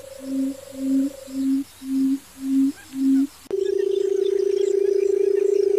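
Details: Barred buttonquail in a field: six soft, low booming hoots at even intervals over a faint higher hum, followed abruptly by a sustained low pulsed purr.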